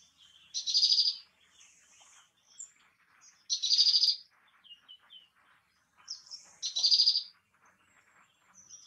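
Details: Great tit voice: three loud, high, bright bursts about three seconds apart, each roughly half a second long, separated by quieter thin chips and soft twitters in a calm outdoor setting.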